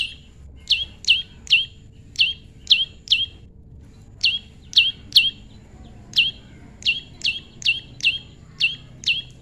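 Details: Tame prinia in pairing: rapid bursts of high, downward-sweeping chirps, around 150 a minute in uneven groups with a brief pause midway.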